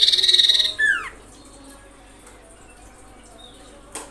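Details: Common iora call intended to anger other ioras: a loud, buzzy high trill with a downward slur at the end, then near silence and a brief click.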